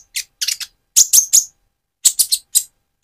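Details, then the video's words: A lure recording of a spotted Van Hasselt's sunbird singing steadily: clusters of two or three shrill, scratchy high chips separated by short silences. "Burung Konin trotol gacor untuk pancingan menaikan mental emosi kolibri ninja"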